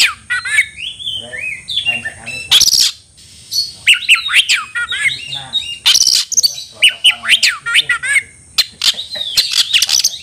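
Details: Heated Oriental magpie-robin singing to find a fighting opponent: varied phrases of sharp whistles, rattling notes and slurred upward sweeps, separated by short pauses, with a faint steady high tone throughout.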